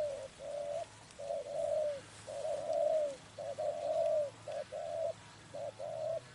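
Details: Spotted dove cooing during trapping: repeated mellow hooting phrases, each a short note followed by a longer, slightly falling one, delivered in steady series over a quiet background.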